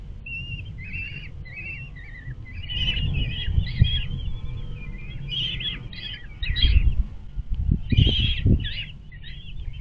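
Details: Common kestrel chicks, nearly fledged and hard for their mother to manage, give rapid, squeaky, scratchy calls in quick bursts while being fed on 23 May 2022, over a steady low rumble and occasional bumps.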